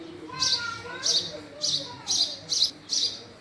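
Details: Six crisp, high house sparrow chirps about half a second apart, over a faint low background hum and soft tonal sounds.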